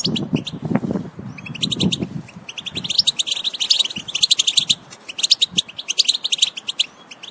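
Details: European goldfinch sound to encourage other goldfinches to sing: high rapid twittering over low rumbling background at first, building into dense tinkling, chattering phrases that continue to the end.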